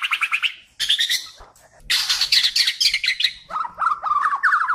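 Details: A white-rumped shama from Kalimantan sings energetically for song tutoring: bright buzzy chatter, a pause, loud high harsh trilling, then a series of quick lower whistled notes.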